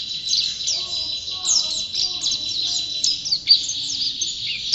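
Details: Champion white-eye (pleci) singing continuously: a fast series of high downslurred chirps and whistled flourishes, one sharp louder note near the end.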